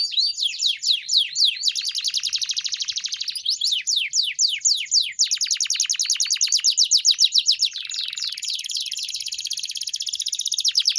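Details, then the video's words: Pet canary singing a training song (masteran kenari): a long run of changing rapid trills, with swift downward-slurred notes in quick series, shifting tempo several times and closing with a high buzzy roll. "Masteran Burung Kenari _ CANARY SINGING"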